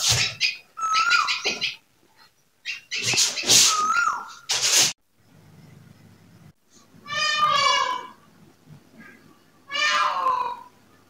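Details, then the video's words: Indian peafowl (peacock) gives two loud, nasal, harmonic cries, each falling in pitch and about a second long, after several harsh, noisy bursts at the start. "Voice of koyal, Crow and Peacock"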